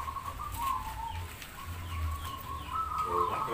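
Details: Caged zebra doves competing at a singing contest held by a local zebra dove community in Demak, Semarang; many birds' overlapping coos form a near-continuous wavering tone, with low rumble and faint human voices behind.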